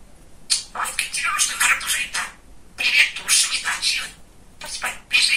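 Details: Pet male budgerigar, described as very chatty and funny, talking: rapid high, scratchy, speech-like chatter in bursts with short pauses between phrases, a quiet room around it.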